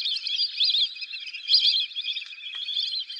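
Lesser whistling ducks give a steady stream of thin, high, overlapping whistles, like a flock chattering together without pause.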